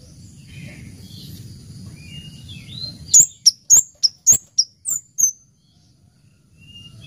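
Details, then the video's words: Orange-headed thrush song: after steady low rumbling background noise, a fast run of about eight piercing, high whistled notes, some with a short downward slur, lasting two seconds before quiet returns. "Suara Merdu Burung Kemade Cabe Cabean Gacor"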